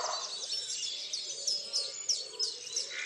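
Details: A short stretch of chorus at daybreak, Tophill Low nature reserve near the main hide's picnic table, 30 March 2019. Overlapping high chirps and whistles come from many birds, with a few brighter notes standing out.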